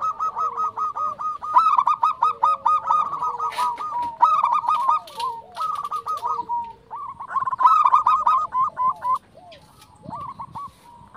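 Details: Zebra dove manggung singing meant to trigger other zebra doves to sing: long runs of rapid, rolling coo notes in repeated phrases, with a softer lower-pitched cooing line weaving underneath.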